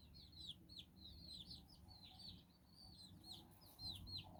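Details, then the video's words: Domestic chicks, nine together with their mother hen, exploring in Bizkaia, Basque Country; quiet but clear runs of high peeps dropping in pitch, repeated throughout. ""Amatxu" gallina con sus nueve polluelos"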